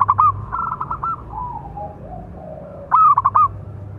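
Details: Local zebra dove, big-voiced, giving a calling song used to train and provoke other doves: a short coo burst, softer sliding coos, then a loud rolling phrase of quick notes near the end, low hum beneath.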